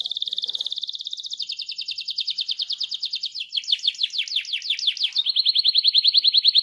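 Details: Canary singing its rolling song to encourage other canaries, a long continuous trill shifting from fine fast pulses to slower downslurred notes and back to a steady rapid roll.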